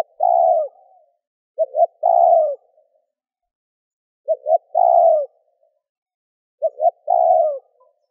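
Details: Spotted dove giving gù, thúc and gáy gọi calls meant to stimulate a decoy. Four mellow phrases, each a pair of brief notes and then a long, slightly falling coo, spaced irregularly over eight seconds with no background noise.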